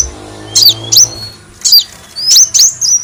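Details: Lure sound of a kolibri wulung sunbird, with short, high, sharp chip notes given singly or in pairs, each with a quick downward slur, separated by brief gaps over a faint low hum.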